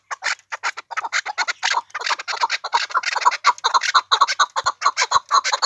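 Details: Pamir chukar giving a quickening series of throaty chucks that crowd closer together toward the end, with brief low thuds now and then.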